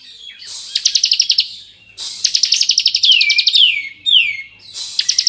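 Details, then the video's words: Bar-winged prinia of the 'kristal' type in lively, varied 'ngebren' song, used to provoke young prinias: high rapid trills in bursts of about a second, then sweeping downward whistled notes and another trill burst. "Masteran Ciblek Gacor Full Ngebren Variasi Cocok Untuk Memancing Emosi Ciblek Bahan"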